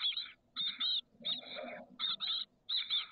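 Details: Thirteen-day-old chestnut-backed chickadee chicks call from a nest box on the SF Bay south peninsula, late May 2023. Raspy, buzzy bursts come in pairs about every half second, with a soft low murmur in between.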